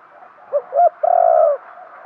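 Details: Decoy spotted dove calling to lure wild birds. A single phrase: a short soft note, a louder rounded note, then one long, even, mellow coo.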